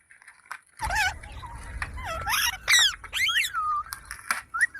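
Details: Young Indian green parrot, described as a baby parrot talking, giving a string of bending, warbled squawks and whistled rising-and-falling notes after a short quiet start, with a low room hum underneath.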